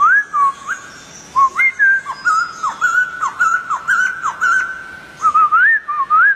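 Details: Wild white-crested laughingthrush whistling in a steady series of short, sharply rising notes, then smooth looping phrases at the end, with faint high clicks in the background.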